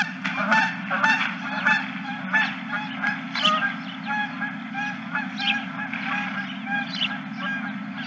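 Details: A crowd of geese calling together in a dense, continuous chatter of overlapping short honks and nasal yelps, with a steady low hum beneath.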